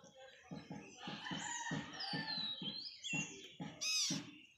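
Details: A parrot chick being hand fed on its first day calls in a steady run of raspy, buzzy pulses, several a second. Clear descending whistles from other birds sound above it, and a shrill squeal comes near the end.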